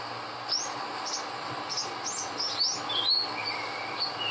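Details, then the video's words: Olive-backed sunbird singing in the wild in Indonesia: high thin whistled notes and short upslurred chips, sliding between high and very high pitches in a quick, irregular series over steady background hiss. "MERDU NYA SUARA BURUNG SOGOK ONTONG DI ALAM LIAR"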